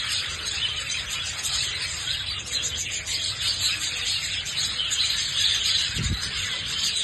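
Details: Pet budgerigars keep up a dense, high, scratchy warble of chirps and squeaks, running steadily throughout with no pauses, plus a brief low thump near the end.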